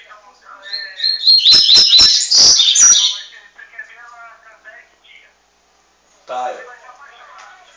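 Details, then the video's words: Double-collared seedeater song of the tuitui style, São Paulo: high whistled notes running into a fast twittering, clicking burst for about two seconds, followed by a person talking and a thump. "Coleiro tuitui"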